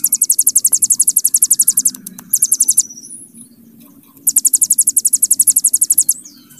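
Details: Hill prinia singing its long 'bren' trill, prized as a master song for other birds: a two-second run of rapid high metallic notes, a short burst, a slurred whistle, a pause, then another long trill.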